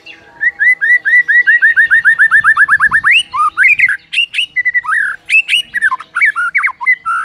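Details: White-rumped shama (murai) morning master song: long steady series of repeated rising whistled notes, about four per second, breaking into varied loud whistles, slurs and sharp chips.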